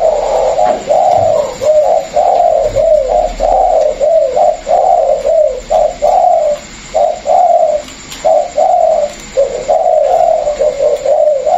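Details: Spotted dove cooing from a cage, one of a Vietnamese pair: an experienced decoy bird and a freshly caught wild bird. Low, wavering coos repeat in a steady series of short, slightly rising-falling notes for over ten seconds.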